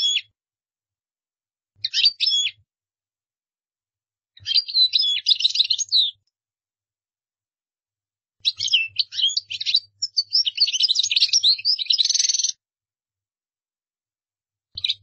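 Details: European goldfinch singing several bursts of lively twittering, tinkling chirps mixed with buzzy nasal trills, the longest run lasting about four seconds, with pauses between and a faint low hum.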